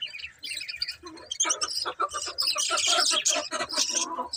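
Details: Busy budgerigar chatter: clicking, scratchy chirps building into a dense run of warbled, buzzy notes and squawks.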